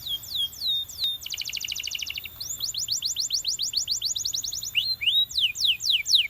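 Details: Canary from a champion singing: a few falling whistles, a rapid rattling trill, a long series of evenly spaced rising-falling notes, then swooping descending phrases.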